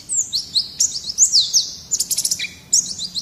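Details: Lively white-eye 'gacor' song: bright, high slurred whistles lead into a quick burst of dry ticking notes, then a short lower chirp and a final high whistled phrase.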